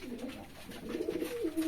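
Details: Pigeons kept in a pigeon house give low, throaty cooing, a wavering murmur that rises and dips through nearly two seconds, with faint rustling behind.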